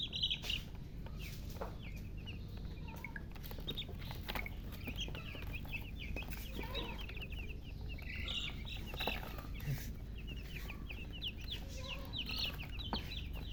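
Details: Thirsty coloured chicks, baby chickens, calling for drinking water: dense, overlapping high chirps, many short rising and falling peeps in quick succession throughout, over a constant low background hum.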